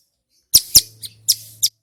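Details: A male Bar-winged Prinia gives a brief, loud burst of five sharp, high chipping notes in quick succession.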